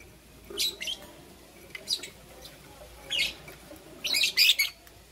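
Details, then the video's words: Two green opaline lovebirds in the morning: four separate bursts of sharp, high, scratchy chirps, each under half a second, spaced about a second apart over a quiet background. "Lovebird Chirping Sounds"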